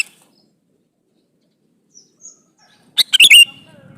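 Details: A male sooty-headed bulbul calls to a female with one burst of clipped, bubbly notes near the end, after a mostly quiet stretch with a few faint ticks.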